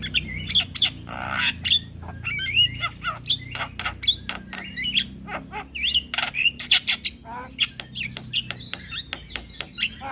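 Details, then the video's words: Lure call of a male Javan myna, meant to make other starlings reply: dense, hurried harsh chatter mixed with high squeaky whistles, sharp clicks and rasping bursts running continuously for ten seconds. "Semua Jenis Burung Jalak Akan Langsung Nyaut dengar Pancingan Jalak Kebo Jantan"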